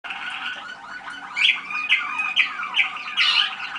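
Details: Young Waterslager (Malinois) canaries from 2010 at a listening session on 25 November 2010: continuous song with a steady trilled base and bright rising-falling notes repeated about twice a second, interspersed with descending slurred phrases.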